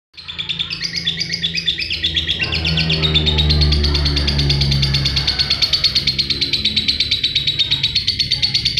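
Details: Caged lovebird singing a fast, high, chattering song of rapid repeated chirps, several per second, continuous throughout, with a low droning hum and tonal background sound in the middle stretch.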